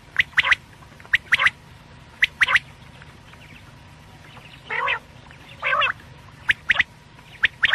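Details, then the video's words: Quail (batair) sounds for nighttime: quick, sharp, clicky notes in pairs and small clusters, broken by two longer harsh nasal calls midway, against a low steady background hum. "quail sounds/ batair ki boli | Batair ki Awaz rat k lia"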